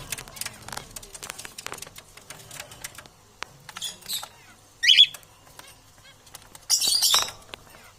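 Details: Parrots competing for survival: after a stretch of soft clicks and taps, one short harsh screech rings out, then a longer, broader raspy squawk a couple of seconds later.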